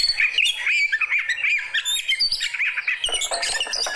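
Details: Reacting Oriental magpie-robin of the fighter type delivering a busy medley of clear whistles and chattering notes, growing harsher and denser toward the end.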